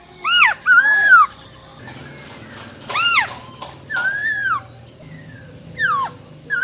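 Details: Female silver-eared laughingthrush, wild-type voice, singing to stir males: arched harmonic notes alternate with wavering, bending whistles, then a quick downward slur and a short whistle at the close.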